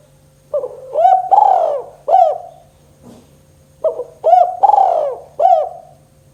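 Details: Spotted dove in the gacor 'kuk 2' style, used as a lure to get quiet doves calling. There are two phrases of mellow hooting coos about three seconds apart. Each has four notes, rising then held. A faint steady low hum sits underneath.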